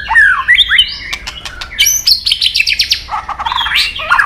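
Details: White-rumped shama flicking its tail and hopping on a perch, singing a long competition song in forest style: rich, fast run of clear whistles sliding up and down, mixed with sharp clicks and buzzy trilled phrases.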